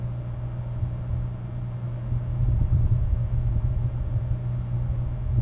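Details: Deep rumbling traffic drone that grows louder midway, with no animal calls.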